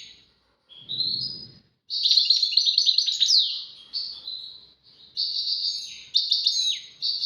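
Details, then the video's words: European goldfinch in a duet of tawawati and tbatbati song styles: a short rising whistle, then loud rapid twitters, drawn-out buzzy notes and tinkling phrases with small pauses between them. "غازارات تواواطي وتباتباتي فالقمة اسمع واتمتع مع المقنين الزين"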